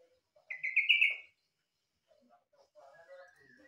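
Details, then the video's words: Yellow-vented bulbul, its song likened to the cucak ijo, gives a quick run of four bubbly whistled notes, then faint, scattered lower chirps follow. "Suara burung trucukan mirip cucak Ijo"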